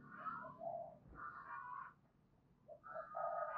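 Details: Spotted dove cooing to attract rival males to fight, low mellow phrases repeated twice over a noisy outdoor background with a murmur of other sounds.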